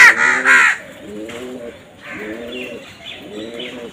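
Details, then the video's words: Harsh double caw of a crow opens the recording, from a group of crows fighting over food, followed by quieter, lower arched calls in a regular series of about four, with faint higher notes in the background. "Crow Bird Crowing Sound"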